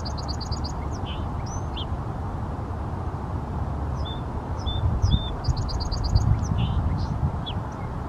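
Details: Song sparrow singing in Seattle: a quick high trill, slurred whistles and short sharp notes, then another rapid trill and more slurred notes, over a heavy low rumble that swells midway.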